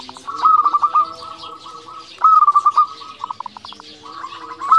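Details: Actively singing local zebra dove, played to rouse quiet or stressed doves: three loud phrases of rapid, bubbling staccato coos roughly every two seconds, with softer lower cooing and faint twittering behind.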